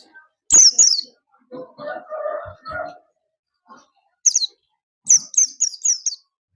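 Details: Oriental white-eye singing: bursts of high, thin chirping notes run in quick descending strings, with a stretch of lower, rougher mid-pitched sound between them.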